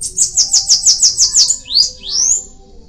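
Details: Bananaquit singing a rapid series of about seven sharp, very high down-slurred notes. Two longer rising squeaky slurs follow, all thin and sibilant with little background noise.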